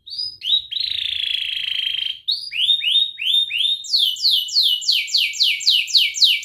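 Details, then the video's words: Canary song used for training young canaries: a long steady whistled tone, then rising slurred whistles, then a fast run of sharp downward-sweeping notes repeated several times a second. "Kenari gacor NGERIK Cuit Cuit Ngerol nembak - Pancingan kenari paud belajar bunyi"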